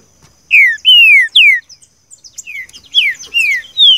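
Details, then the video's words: Green-winged saltator singing the seu chico song, a recording used to train a captive bird: three long, bright whistles sliding downward, a brief pause with soft chips, then more falling whistled notes. "trinca ferro canto seu chico"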